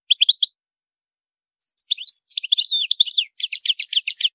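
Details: European goldfinch with high-pitched song: a brief cluster of four quick chirps, a pause, then a continuous scratchy twitter of fast repeated notes building in density to the end.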